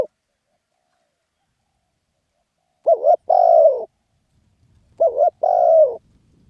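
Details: Spotted dove giving its 'khan yon' crowing. After a quiet stretch, two stammered, hollow phrases arrive about two seconds apart. Each is a brief double note followed by a sustained, buzzing coo that falls away. A faint low rumble follows.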